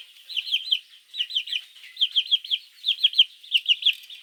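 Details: Baby chicks calling their mother in the morning: high, thin cheeping notes in quick bursts of three or four, each burst separated by a brief pause, repeating steadily.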